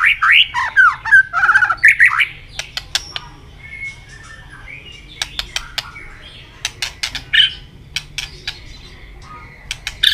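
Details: White-rumped shama singing in contest with constant tail flicking: loud rich warbled phrases for two seconds, then scattered sharp clicks and short whistles.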